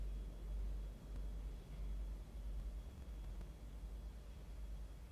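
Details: Faint steady low hum with a thin constant whine, no animal voice heard.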